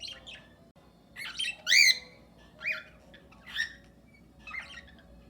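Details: Several cockatiels in an aviary with budgerigars, happy and at ease, giving natural calls; six short harsh harmonic squawks, some rising and wavering, spaced roughly one second apart, the loudest near the middle, with a faint room hum.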